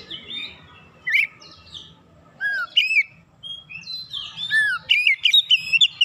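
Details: Oriental magpie-robin song meant to provoke other magpie-robins: separated bursts of clear whistles and downslurred notes, building to a dense run of rapid chips and warbles near the end, with a faint low hum.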